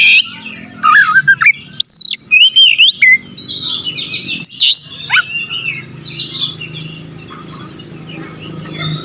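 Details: Persistent song of an Oriental magpie-robin used to stir aggression in rivals: rapid whistled trills and rising and falling notes in bursts for about four seconds, then quieter scattered notes over a steady low background hum.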